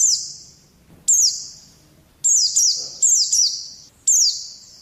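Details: Oriental white-eye recorded as training audio for pet birds: high, thin chirps slurring downward, first spaced out, then coming in closer pairs.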